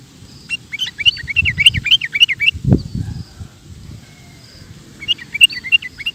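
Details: Rapid 'ropel' song of a sooty-headed bulbul: a run of quick, bouncy chirps lasting about two seconds, a brief low thump, then the rapid chirping resumes against a noisy background.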